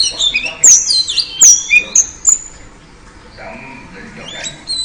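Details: Female oriental magpie-robin calling to lure a male into singing: a quick burst of high, sliding whistles and sharp chips with a few clicks. The burst lasts about two seconds and is followed by quiet, with faint notes near the end.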